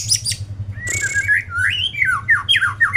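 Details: White-rumped shama song: a brief burst of high notes and a hiss, then a flowing run of varied slurred whistles, rising and falling phrases repeated quickly, over a low indoor hum.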